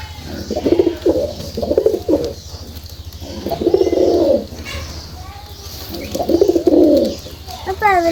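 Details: Domestic pigeons of the red border 'pagla dak' type, a pair with a red border male and a Jalali female, offered for sale and calling. Three bouts of low, throaty, pulsing coos, each about a second long, with a man speaking in between.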